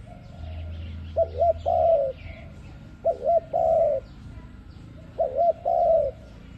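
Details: Lure call of an ARIMIX dove for trapping: three repeated phrases, roughly every two seconds, each a pair of quick hooked notes leading into a sustained soft coo; low constant hum beneath.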